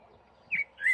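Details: A common blackbird (Turdus merula) singing from a tree in spring, to attract a mate, gives two brief, clear fluty notes about a third of a second apart, the second rising and held, over faint hiss.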